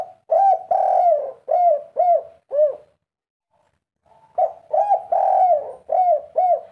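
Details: Agitated spotted dove giving a three-note coo: low, mellow hooting notes in quick series, a pause of about a second, then another run of similar coos.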